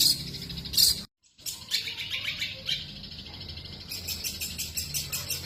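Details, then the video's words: Long-tailed shrike (cendet) in full 'tembakan' song: dense, scratchy high chatter with sharp loud bursts, broken by a brief silent cut, then steady rapid twittering. "cendet gacor full tembakan"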